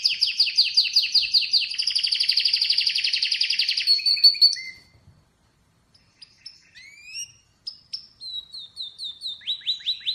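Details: Rapid rolling trills from an Atlantic canary, about four seconds long, then a pause and scattered sweeping chirps and short upslurred notes building into another fast trill.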